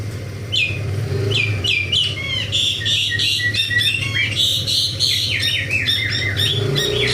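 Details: Morning activity of an Asian pied starling: a continuous run of varied whistled and chattering notes, many sliding down in pitch, delivered rapidly over a constant low rumbling background.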